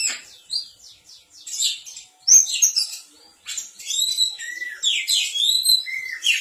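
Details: Oriental magpie-robin calling to draw a reply from other magpie-robins: a rich, varied run of scratchy chatter, sharp chirps and sweet slurred whistles, rising and falling in rapid phrases with short pauses.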